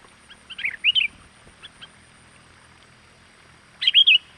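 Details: Sooty-headed bulbul lure call, meant to stimulate wild birds to come. Two short, bright warbled phrases, each of a few liquid notes, are separated by a quiet gap of nearly three seconds.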